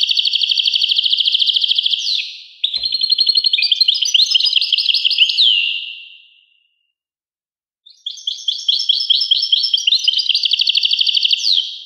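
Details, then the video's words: Liquid, tinkling goldfinch song. A rapid high trill runs into a chattering sequence of mixed chirps and slurred notes, then a silent gap before another fast twittering burst. No background noise. "song Carduelis carduelis pure and Nice-Birds The song"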